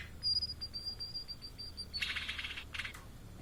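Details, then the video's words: Thin, high, even whistled notes repeat quickly for nearly two seconds, then break into loud buzzy, scratchy bursts. Blue-and-white flycatcher, a migrant species of Indonesia. "Tledekan Laut Gacor Plong (Cyanoptila Cyanomelana)"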